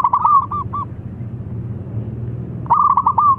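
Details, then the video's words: Zebra dove, a local bird calling out rivals to sing: a quick rolling coo of clipped notes trailing into a few separated pips, then a second rolling phrase begins near the end, over a low droning background. "Perkutut Lokal Gacor Tukang Manggil Lawan Manggung"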